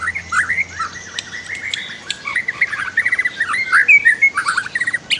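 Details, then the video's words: White-rumped shama singing, presented as a master track to make other birds sing more, with river sounds: a rich run of varied whistles, slurred notes and quick trills changing phrase every second or so. "MASTER KICAU MURAI BATU"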